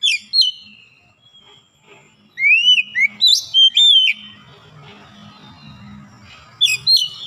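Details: White-rumped shama song during recovery from reluctance to sing: sharp high notes, a run of looping whistled phrases midway, then quiet with a low hum before a final burst.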